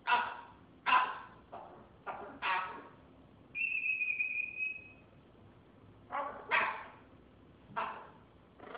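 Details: Military macaw talking: a run of short, harsh, voice-like bursts, then a drawn-out steady whistle, followed by more rasping syllables spaced about a second apart.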